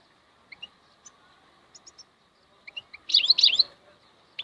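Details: Scattered thin chirps from a European goldfinch build into a loud, tangled twittering burst near the end, followed by a sharp final note.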